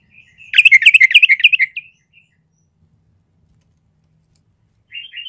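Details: Sooty-headed bulbul presented as a fierce fighting bird that sparks combative excitement on first hearing; one loud burst of fast, bubbly chirping notes lasting just over a second, then quiet with a faint brief phrase at the end.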